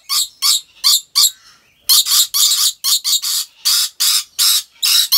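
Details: Rainbow lorikeets kept at Taman Satwa Gurun Putih Lestari in Aceh Besar, Indonesia, give harsh, grating screeches in quick bursts, about fourteen in five seconds, with a brief pause after the first few.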